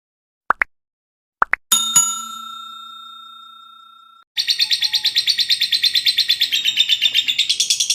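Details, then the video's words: Lovebird giving a long ngekek chatter, used as a training recording for other birds. After a few short tonal chirps and a sustained ringing tone, a rapid, buzzy, high pulsed trill begins and runs steadily to the end. "masteran burung Lovebird ngekek panjang"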